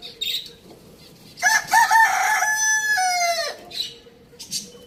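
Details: Village farm rooster crowing: a stepped opening, then a long held note that drops at the end, about two seconds in all. Faint chirps of small birds sound before and after.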